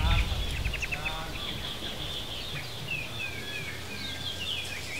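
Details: Critically endangered Bali mynas, three or four free-flying birds near the breeding centre in Bali Barat National Park: a fast run of short chattering notes, then several clear downslurred whistles, over a steady low rumble.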